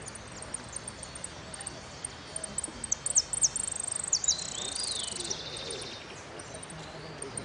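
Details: High, rapid siskin phrases from a contest bird, Merlo winners' final, Amarillo Completo class, 13 01 13: scattered chips building into a dense buzzy trill and a falling note, then fading, amid soft background noise.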